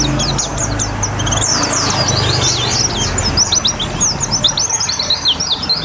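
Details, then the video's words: Pleci, a white-eye, under water therapy: quick high chirping phrases tumbling together over running water, with a low hum early on. "Terapi Air Untuk Burung Pleci biar Cepet Nembak"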